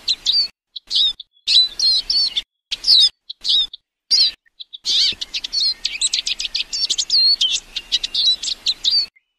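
A Eurasian siskin sings a fast, high twittering song of chirps and short whistled notes, first in bursts, then in one long continuous phrase.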